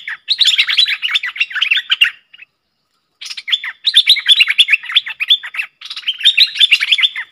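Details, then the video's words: Cream-vented bulbul calls used as a trapping lure: bursts of bubbly, chattering notes, rapid and uneven, running about two seconds, a short pause, then two more long jumbled phrases. "Suara pikat merbah lekir"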